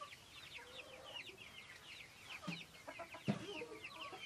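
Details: Silkie chickens on a farm: a dense chorus of high, quick downslurred peeps from many birds, with a few lower clucks and a sharp knock partway through.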